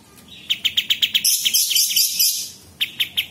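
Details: Sooty-headed bulbul giving bright, clipped chirps about four a second, broken by a burst of high, scratchy chatter before the chirps resume; used as a master song for caged magpie-robins, leafbirds and shamas.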